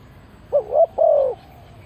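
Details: Decoy spotted dove calling to attract wild doves for trapping: a brief wavering double note, a short pause, then a longer, drawn-out coo that sinks slightly at the end.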